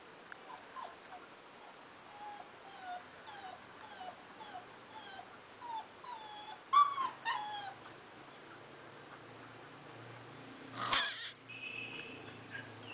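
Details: A litter of black and golden Fila Brasileiro puppies, males and females, give thin, high whimpers and squeaks about once a second, with a few louder yelps.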